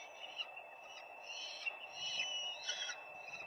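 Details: Peregrine falcons calling at a nest, recorded live on 4 May 2025: a rapid series of short, strained, harmonic notes repeated several times a second over steady background hiss.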